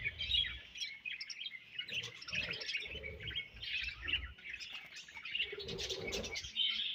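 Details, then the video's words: Budgie colony chatter: overlapping high chirps and warbled phrases from many birds, with soft low knocks scattered throughout. "Budgies Colony Chirping Sounds"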